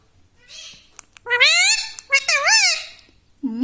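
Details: Pet talking parrot (tota) speaking two drawn-out word-like phrases with rising and wavering pitch, followed by a short low squawk, amid faint clicks.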